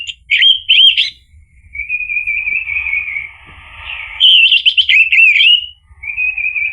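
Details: Orange-headed thrush song to provoke a reply: a pair of loud whistled bursts, a soft sustained warble, then a fast loud series of whistled notes and a closing trill.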